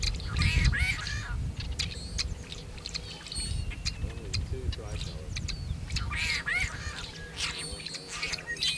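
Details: Male Tricolored Blackbirds (Agelaius tricolor) singing and calling near Kern National Wildlife Refuge, California, 26 February 2003: harsh, nasal, buzzy songs and calls, several birds overlapping in bursts, over a steady low rumble.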